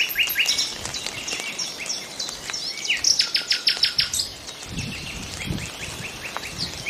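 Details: Nightingale song with varied high phrases, then a fast, loud trill of about ten sharp repeated clicks in the middle, followed by softer chirps; other birds call faintly around it.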